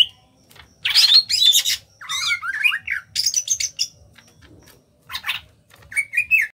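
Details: Caged greater green leafbird from Kalimantan in 'ngentrok' song: dense harsh high bursts, zigzagging whistled phrases, a loud sharp trill and a final wavering whistle, with a faint low pulsing in the background.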